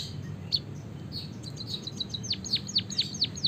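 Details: Canary-song phrasing from a white-headed munia of Java, a long roll meant to coax other birds into song: soft scattered high notes build into evenly spaced, sharply falling whistles repeated about four times per second.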